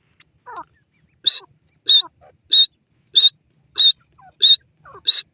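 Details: Teetar francolin male going wild over a female, giving loud, short, high-pitched calls at a steady rhythm of roughly one every 0.6 seconds, with faint lower squeaks between them.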